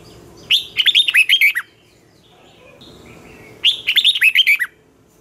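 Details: Red-whiskered bulbul morning song in the twisting 'giọng xoắn' style, used for training young birds and in singing contests: two matching phrases of rapid, jaunty warbled whistles, about three seconds apart, with faint softer notes between.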